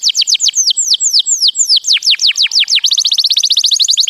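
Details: Canary singing for young birds to learn: a series of clear downward-slurred whistles at roughly five per second, breaking into a faster, tighter trill for the last second.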